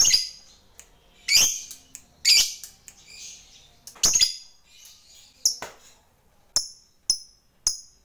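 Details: Fighter lovebird calling out to a rival: irregular bursts of harsh, high, rasping chirps, several in quick pairs, followed by sparser sharp clipped notes toward the end.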